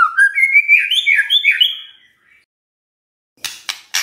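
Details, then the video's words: Morning white-rumped shama song played to provoke a silent shama: about two seconds of rising, rippling whistled notes, then quiet broken by three sharp clicks. "Pancingan PAGI-PAGI AGAR MURAI GACOR❗ murai diam pasti ikut NYAUT EMOSI❗❗"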